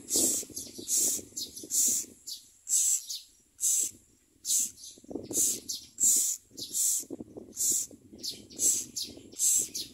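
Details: Common myna chicks being fed worms and locusts by their parents, giving harsh, hissing high-pitched begging bursts about once per second in irregular runs, over a low rumbling background noise.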